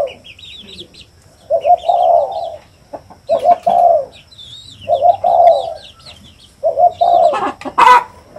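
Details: Spotted dove giving a run of soft, hollow coos in short double-note phrases separated by pauses, with faint high chirps of other birds and a few clicks in the background.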